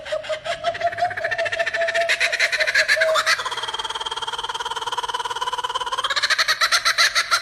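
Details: A male laughing kookaburra from Australia, blue marking his sex, gives its loud, cackling laugh: rapid harsh notes rolling up and down in pitch, building into a fast chattering rattle, with no other sounds.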